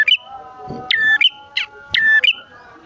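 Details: Male and female bar-winged prinias in lively song, played to prompt kept birds to sing and to lure wild prinias; clipped, bright chirping notes repeated roughly every third of a second between short pauses, over faint lower tones.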